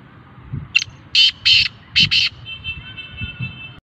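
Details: Black francolin delivering a clear, harsh call of five grating notes in about one and a half seconds, a short lead note then paired buzzy bursts, followed by a faint steady tonal hum and low background rumble.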